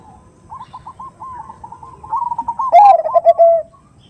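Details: Perkutut, the zebra dove, a female calling to males in a 'nutut'-style lure recording. Fainter rippling coos build into a loud, fast run of clipped notes near the end, then stop.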